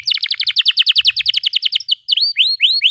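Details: Excited canary singing with tight rolling cheeps, used to coax young birds into singing; a rapid series of falling chirps about seven per second, then rising whistled slurs.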